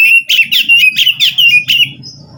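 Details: Wild forest Oriental magpie-robin song meant to prompt a reluctant captive bird: loud, rapid, repeated rising whistles with harsh overtones, about five per second, over a faint low hum.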